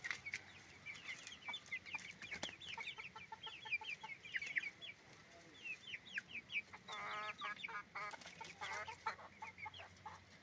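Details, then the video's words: Chickens on a chicken farm, roosters and hens together: a dense crowd of short, high peeping and squawking notes that overlap constantly, with louder bursts of rapid clucking in the second half and faint background hum. "Moment of the sound of a chicken farm, roosters and hens making noise"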